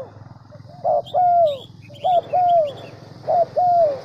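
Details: Central Highlands decoy spotted dove, used as a lure bird, delivers paired coos: a clipped note followed by a longer downward-curving croon, twice in the clip, with background rumble and faint high chirps.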